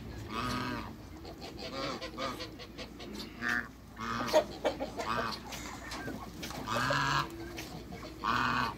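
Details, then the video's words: African geese on a farm during a first meeting, honking in shorter, quieter bursts with several birds calling over one another, against a constant background rumble. "MEETING THRE AFRICAN GEESE"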